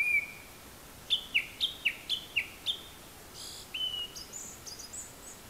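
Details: High-perched Japanese thrush singing, seemingly copying other calls: a whistled note, then a rapid series of six short, identical piping notes about a quarter-second apart, finishing with a longer whistle and soft high twittering.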